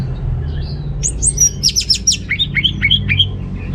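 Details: Song of an orange-headed thrush used to coax males with weak breeding drive; a fast cascade of very high, sharp notes descends into a run of short clear whistles, over a faint constant hum.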